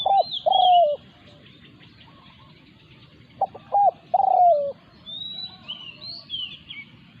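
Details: Spotted dove in a territorial clash with a decoy bird. It repeats a coo phrase twice about three seconds apart: two quick notes, then a long, falling, rolling coo. High, sweeping whistles from other birds follow.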